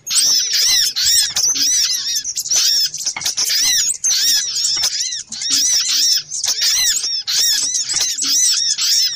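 Little spiderhunters in a busy chorus of sharp, high chattering notes, fast and overlapping, with barely a pause across the stretch.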